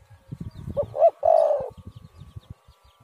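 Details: Spotted dove (tekukur, derkuku), a call played as a lure to prompt doves to call: two short coos followed by a longer, slightly falling drawn-out coo, with light rustling and clicks beneath.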